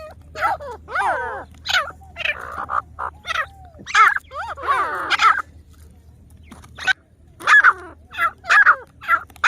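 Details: Several grey francolins, known as teetar, from Pakistan give a loud string of scratchy, swooping calls, pausing briefly before sharp, clipped notes resume at irregular intervals over a steady low hum.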